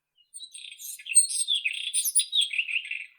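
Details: Song of the White-throated robin, Irania gutturalis: a continuous, rapid stream of high scratchy and whistled notes that rise and fall, tumbling without pause for about three seconds.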